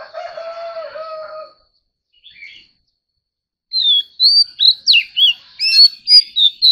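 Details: Oriental magpie-robin in competitive singing: after a lower drawn-out tone and a short pause, a string of bright whistled notes and slurs repeats rapidly for about three seconds.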